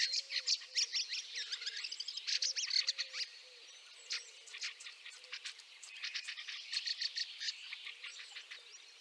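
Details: Fieldfare in snow at Liepāja, Latvia, in March 2023: dense runs of harsh, dry chacking notes in quick irregular bursts, some overlapping as if from several birds, with a faint low wavering hum underneath.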